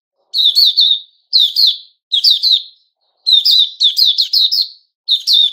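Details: Sooty-headed bulbul, male, 10 July 2021: lively phrases of two to four sliding, twittering notes, each ending in a drawn-out downward slur, separated by short silences.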